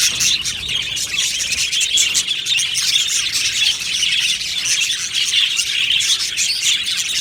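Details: Australian budgies in an aviary colony, many birds chirping at once: a dense, continuous wash of bright, high twittering and warbling chatter with scattered sharper squawks, steady throughout without pauses.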